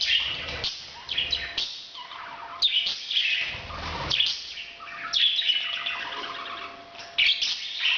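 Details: A parrot's breeding sound: repeated bursts of grating squawks and chirpy twitters, roughly every second or so, over a faint steady hum.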